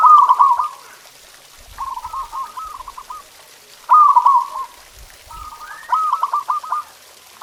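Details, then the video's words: Zebra dove master song played to stimulate pet doves to sing: four rolling, trilled coo phrases about a second long, each a quick stutter of notes, separated by short pauses. "Suara Masteran Perkutut"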